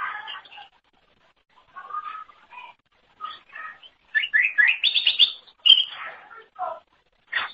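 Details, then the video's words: Greater green leafbird, cucak ijo, singing for songbird training: scattered soft chirps and pauses, then a loud rush of rising whistles and trills near the middle, ending in sharp upward notes. "Kicauan Super Cucak Ijo Gacor Untuk Masteran"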